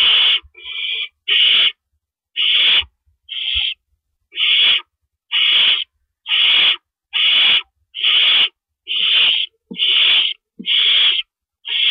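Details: At an owl nest at night, April 4, 2012, near 4:30 AM, with rabbits brought in as prey. Rasping, hiss-like screeches follow one another at a steady pace of about one per second, with brief quiet gaps and soft knocks.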